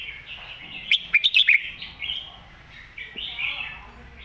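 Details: A red-whiskered bulbul sings a master song meant for young birds to learn. Soft warbling gives way to four loud, clipped notes in quick succession, then more flowing, slurred whistled phrases.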